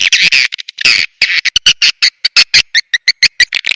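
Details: Swiftlet lure call, used to attract swiftlets: a rapid, steady series of short, harsh, buzzy chirps, about five per second, some clipped and clicking, with brief gaps between bursts.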